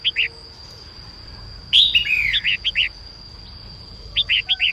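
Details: Female red-whiskered bulbul sings to encourage males: rapid short upslurred notes in twos and threes flank one loud, tumbling warbled phrase, about three notes per second overall, over a faint steady high hum.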